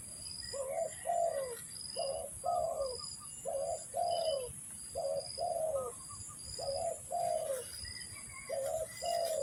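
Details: Lure calls of a spotted dove used in trapping: soft, hollow coos in short-then-long pairs, each longer note sliding downward, repeated steadily over a continuous shrill background hum.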